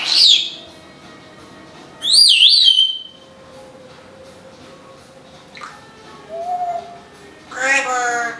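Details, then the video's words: Pet female Timneh African grey parrot, which talks, sings and imitates vacuum and packing-tape sounds: bursts of high, wavering whistles and squeaky notes, a short mid-pitched tone and a harsh harmonic squawk, separated by quiet pauses. "The smartest African Grey Parrot, TALKING - singing, and making vacuum sounds."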